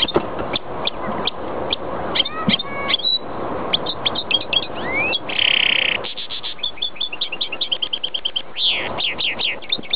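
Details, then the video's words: Goldfinch × greenfinch hybrid singing: rapid twittering notes, sharp chips and short trills, with a long buzzy wheeze in the middle and quick repeated chirps toward the end. "Mixto jilguero pega verderon"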